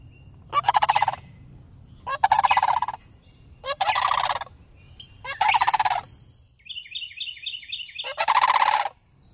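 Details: Pair of young sandhill cranes greeting a person in a city where the species stays all year, filmed on iPhone: five rolling, rattling calls about every two seconds, with a small bird's high repeated chirps in the background.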